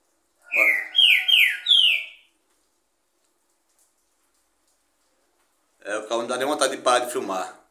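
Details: Green-winged saltator phrase of three sharp, descending whistled slurs, briefly accompanied by a faint low tone, then a silent pause followed by a burst of unrelated muffled noise.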